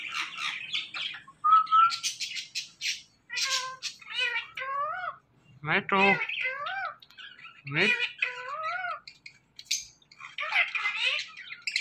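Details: Talking ringneck parrot in a long sequence of mimicked speech: clustered harmonic syllables with bending pitch, a short whistled note, and rough chattering passages, separated by brief gaps across about twelve seconds.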